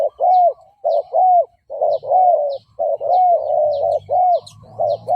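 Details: Spotted dove coos used as a lure for provoking fighting males: steady low coo phrases with arched glides about once a second, over a faint low rumble, with small high chirps from another bird above.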